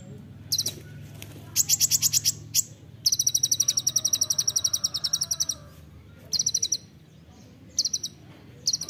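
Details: Sunbird known locally as kolibri ninja, singing 'nembak rapat' for a songbird training recording: long rapid high-pitched trills, one running about two and a half seconds, plus shorter trill bursts and scattered sharp notes.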